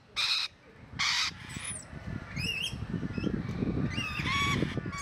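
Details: Rainbow lorikeets at Paradise Country Wildlife/Zoo: two loud, harsh, broadband screeches open the clip, followed by shorter whistled, rising-and-falling chirps from several birds over a steady low rumble of background noise.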